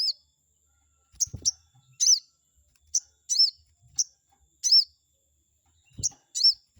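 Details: Lure recording of a chestnut-backed scimitar babbler meant to make a rival bird react angrily: crisp high chirps with a down-curving arch, often in pairs, delivered at an uneven pace with a few dull low taps.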